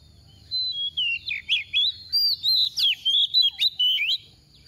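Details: Decoy hen oriental magpie-robin in 'tìu tíu tiu' song, used to make other magpie-robins sing: roughly a dozen loud, clipped whistled notes in quick succession, each slurring up or down, over about four seconds.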